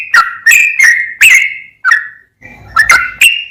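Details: Short burst of sooty-headed bulbul 'gacor' song: several clear, strong whistles with sharp onsets and falling tails, a brief pause, then three quick notes to close.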